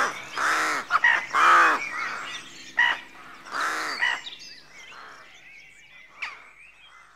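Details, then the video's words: Rookery at daybreak with rooks giving rough, grating caws, three strong ones close together early on, then fainter scattered calls while thin twitters of smaller birds continue in the background. "Rookery at Dawn"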